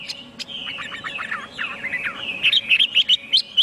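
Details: Chinese hwamei song starting as a soft, rapid chatter of falling notes, then turning into a row of louder, sharp whistled notes.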